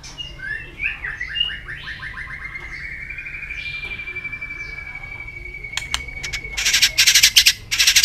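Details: White-rumped shama in peak condition, singing a combative song. Quick stuttering notes lead into a long, steady, high whistle held for several seconds. Loud rustling noise bursts close the phrase.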